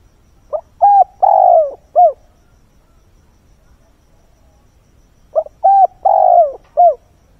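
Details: Decoy spotted dove cooing at daybreak to entice wild birds; loud, clear phrases repeat twice, each a short note, a flat coo, a long falling coo and a clipped ending, with silence between.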